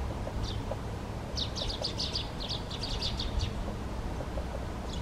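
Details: Great spotted woodpecker (Dendrocopos major) giving short, sharp, high calls, mostly in quick clusters in the middle of the recording, with a few isolated notes. A steady low rumbling background noise runs throughout.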